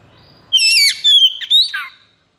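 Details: Oriental magpie-robin (kacer) in strong breeding condition gives one short 'konslet' burst: a rich buzzy whistle, a clear sustained note, then a descending slur, after faint low background hum.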